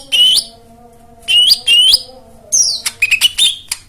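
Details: White-eye song as therapy for birds that won't sing: loud rising whistled notes in pairs, then a burst of quick chips, over a faint steady hum.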